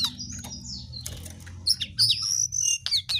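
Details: Jongkangan singing actively, a gacor display: high slurred whistles and sharp chirps in fast irregular bursts, over a steady low hum.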